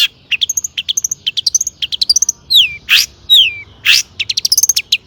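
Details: Long-tailed shrike in vigorous mimicking song, played to spur other shrikes to sing; quick sharp chips and thin whistles, broken by loud downslurred squeals and a harsh burst, then more rapid chirps.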